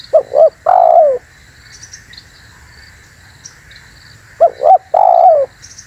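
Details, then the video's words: Spotted dove call used to lure wild spotted doves and provoke other doves: two cooing phrases, each a short stuttered double note followed by a longer falling coo, separated by a few seconds of quiet. "SUARA BURUNG TEKUKUR UNTUK PIKAT DAN PANCINGAN"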